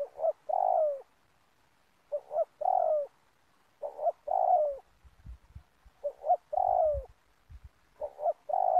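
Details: Lure-calling spotted dove at a dove-trapping spot in a community oil palm plantation, repeating a short-short-long cooing phrase about every two seconds, with faint low knocks in the background.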